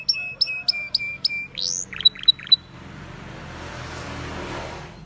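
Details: Canary song heard in the wild: evenly spaced chip-and-tone notes, a rising slurred sweep and a few sharp clicks, after which only a soft background hiss remains.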